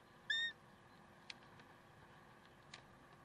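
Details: Peregrine falcon in Karlsruhe, 30 May 2010 at 7:27: one short, clear, slightly nasal call, then silence apart from two faint knocks against a quiet background.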